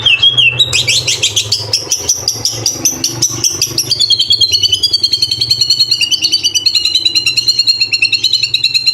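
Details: White-rumped shama singing a full 'isian' and 'tembakan' training song: a rapid, pulsing trill that runs for several seconds, with a wavering high whistle over close-set repeated notes.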